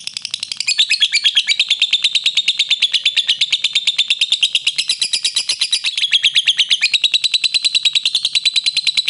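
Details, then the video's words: Master recording of a lovebird in extended ngekek song for training: an unbroken high chattering trill, pulses racing at roughly three per second, with brief pitch steps midway and no other sounds. "Masteran Lovebird Ngekek Panjang Suara Jernih"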